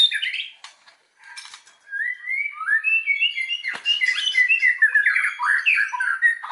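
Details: Lure song of a white-rumped shama meant to stir other shamas into full song; after a few sharp notes, a flowing sequence of slurred whistles and warbled phrases builds steadily.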